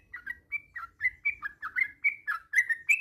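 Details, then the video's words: A Malay-strain decoy yellow-vented bulbul gives a steady run of short, bubbly whistled phrases, each rising or dipping slightly, about four per second. There is faint low background noise. "เสียงนกต่อ นกปรอดหน้านวล ถิ่นมาเล"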